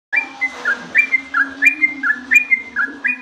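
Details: Yellow-vented bulbul (trucukan) singing in the long, energetic ropel style: a rapid run of bright whistled notes that alternately rise and drop, about five note-pairs a second, over a steady low hum.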